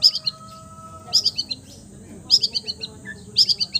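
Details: Long-tailed shrike, praised for imitating all bird voices, repeating a short high phrase of four or five quick chirped notes about once a second, with a faint steady tone beneath early on.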